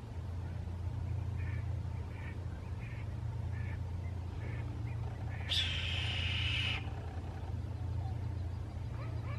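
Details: In Delta, BC on 7 January 2016, a red-tailed hawk gives one hoarse, rasping scream lasting over a second, after a few faint short chirps, over a steady low rumble.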